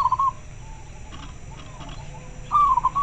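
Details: Clear-voiced local zebra dove responding to another bird: a rippling coo fades at the start, then after a pause of quiet hum a second pulsed, slightly falling coo begins.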